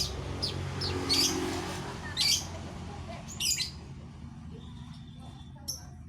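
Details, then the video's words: Female weaver calling to the male in a mini aviary: short, sharp, high chirps and squeaky notes spaced about a second apart, fading later, over a steady low rumbling hum. "Burung Manyar Betina Memanggil Jantan"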